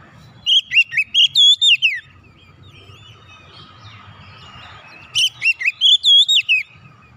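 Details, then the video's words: Two phrases of oriental magpie-robin song, meant to get silent birds singing again; each is about seven loud, melodious whistles rising and falling, with low background noise in the gap. "KICAUN MENGATASI KACER MACET BUNYI KEMBALI GACOR"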